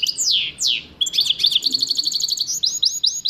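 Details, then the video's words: Goldfinch mule song: two long loud downward-slurred whistles, then a quick high twittering trill and a series of repeated sweeping chirps. "goldfinch meul singing"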